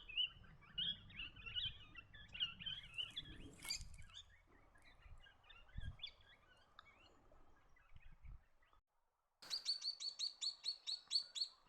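Swift parrots chatter in high, scratchy notes, then one gives a quick run of about ten sharp, metallic pips. A low rumble of background noise underlies the first half.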